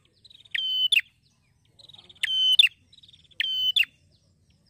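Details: Happy male prinia (prenjak semi) singing in the ngeplonk style: each phrase opens with a quick run of soft ticking notes, swells into a loud steady whistled tone, and ends with a sharp accented note. The phrase repeats about every 1.4 seconds, three full times, with a quiet background.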